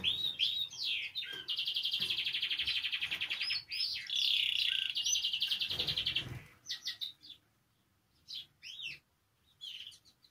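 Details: Canary in song, used to stimulate canaries into singing: quick chirps lead into a long loud rolling trill with short interjected notes, followed by scattered softer chirps and pauses.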